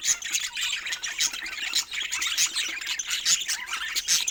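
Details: Pet budgies at play give lively, shrill warbling chatter, rapid squeaks and chirps in small bursts roughly every half second, several birds overlapping.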